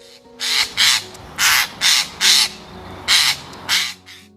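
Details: Eurasian jay in the UK giving one of its most distinctive calls: seven harsh, rasping screeches, each short and tearing, in an uneven run over about four seconds, with faint soft music underneath.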